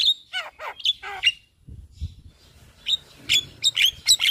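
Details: Daytime Javan myna song from in front of a house, showing its full repertoire: loud down-slurred whistles in quick succession, a brief pause with low background rumble, then sharp high piercing notes.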